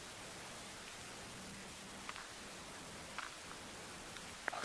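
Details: Steady broadband hiss like rain or static, with a few soft ticks and a louder crackle at the very end; no calls from any creature.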